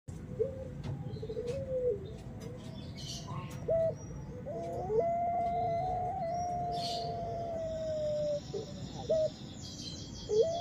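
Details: Puter pelung turtle dove in the high-pitched ngelik style: long, steady whistled coos held for several seconds, broken by short upward-sliding notes, with faint high chirps of other birds in the background.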